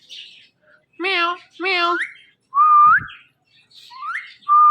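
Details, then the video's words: Indoor pet Indian ringneck parakeet giving two drawn-out, harmonic meow-like imitations, followed by clear rising whistles, each swooping upward and ending abruptly. "Funny Indian Ringneck Talking Parrot"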